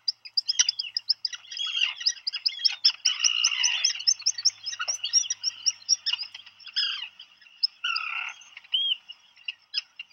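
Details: In a nest burrow on Seal Island National Wildlife Refuge, Maine, on 27 June 2020, a brooding Black guillemot hears its mate arriving with food for the chick and calls: thin, high, wheezy whistles running into a fast shrill twittering trill, with a few louder squeals.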